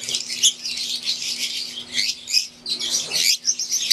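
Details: Aviary flock of wild-type green Fischer's lovebirds with Euwing birds: dense, overlapping high chirps and squeaky twitters in quick bursts, pausing briefly near the middle, with a faint steady low hum underneath.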